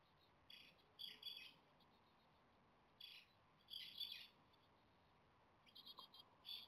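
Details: Nestling Japanese tits, day 17 in the nest, clamour for food while stray cats prowl nearby and the weather worsens. Short bursts of high, harsh, sizzling chirps come roughly every second or two, with quiet pauses between them.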